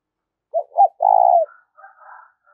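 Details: Low cooing phrase of a spotted dove, meant to rouse a decoy bird: two quick hooted notes leading into a long trilled coo ending in a downward slur, faint chirping trailing after.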